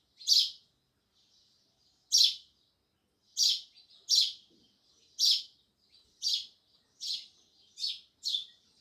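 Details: Sparrows chirping loudly: short, bright, harsh chirps repeated at uneven gaps of about one to two seconds, with faint chatter between them and an otherwise quiet background.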